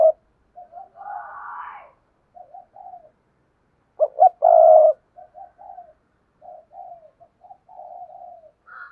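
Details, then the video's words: Spotted dove used as a decoy to lure wild doves: two full coo phrases, each two short notes and a long hoarse note, with many soft low coos scattered between and after. "tiếng cu mồi thúc bổi và gáy gọi hay// Tiếng cu gáy mồi chuẩn kích bổi nhanh nổi"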